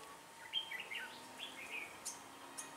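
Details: Red-whiskered bulbul singing during decoy-bird trapping on 1 October 2018: a quick run of clear whistled, slurred notes falling and rising, followed by two faint high clicks, over a steady low hum.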